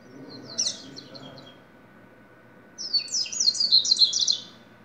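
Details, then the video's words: Double-collared seedeater singing: a brief high twittering burst, then after a pause a longer rapid phrase of sharp, slurred high notes tumbling up and down, over a faint steady hum. "Coleiro - Corbatita"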